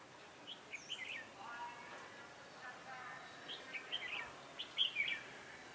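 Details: Red-whiskered bulbul, a decoy bird used for trapping, on a cold, windy day, 16 December 2017; several short, chirpy warbled phrases spaced through the recording, the loudest a bright, quick burst near the end, over light hiss.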